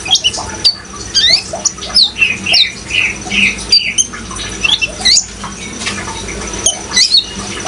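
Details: Sharp high squeaks and short sliding whistles from juvenile kolibri ninja sunbirds, uttered in irregular bursts, with running water hissing steadily underneath.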